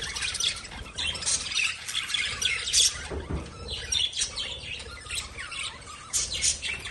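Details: Lovebirds in a group keep up a dense, continuous chatter of sharp high chirps and squawks, overlapping with no pauses.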